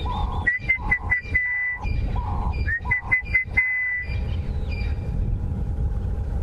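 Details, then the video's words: Orange-breasted Bushshrike giving clear, mid-pitched whistled notes in short repeated bursts as morning heat builds in a drainage line, Sabi Sands area, South Africa, on 20 October, with many other birds calling and a steady low rumble underneath. "You can hear the wonderful sound of the birds, and especially the orange-breasted bushshrike"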